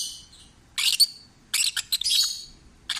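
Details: Relaxed, happy peach-faced lovebird kept as a pet, giving a few rasping, squeaky chirp bursts with gaps of quiet between them.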